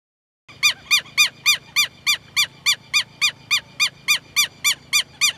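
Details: Southern lapwing calling: a steady series of loud, harsh, nasal notes, each arched in pitch, repeated about three times a second, with a faint low hum underneath.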